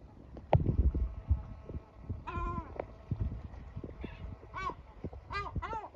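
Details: Screeches of a male yellow-legged gull insisting his chicks go to their hideout to rest; a sustained nasal cry, then a quick series of three sharp yelps, with low thuds and knocking earlier.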